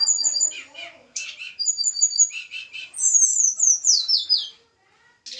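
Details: Little pied flycatcher pair from the Javan mountains, caged together for matching; short repeated high whistles alternating with buzzy chatter, then a long series of descending high slurred notes.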